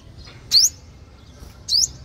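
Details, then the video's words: Sunbird calls used to lure wild birds: two sharp, very high upslurred notes about a second apart over a faint low hum. "Tiếng hút mật 5 màu"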